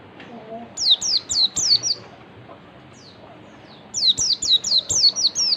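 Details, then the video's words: Oriental white-eye giving 'ngalas' wild-style song as a lure, two strings of quick, bright, falling high whistles, about five to seven notes each, with a near-silent gap between them. "pancingan pleci ngalas PLECI MANAPUN AKAN LANGSUNG MERESPON DAN NGALAS"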